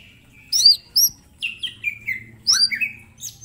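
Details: Mini green leafbird sings for a training recording: a thin level whistle, bright high chips, then a series of falling whistles and rising slurs, over a soft low hum.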